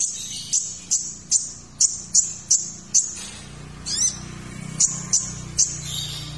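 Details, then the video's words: Sunbird known locally as kolibri ninja, recorded as song-training material: evenly spaced sharp high chips, a brief rising-falling trill midway, then three more chips over a faint low hum. "MASTERAN KONIN - Masteran Kolibri Ninja Isian Mewah"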